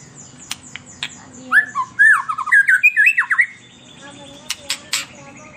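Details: Singing white-rumped shama, recorded as a lure for captive birds: a quick two-second burst of varied whistled and slurred notes, framed by scattered sharp clicks and ticks before and after.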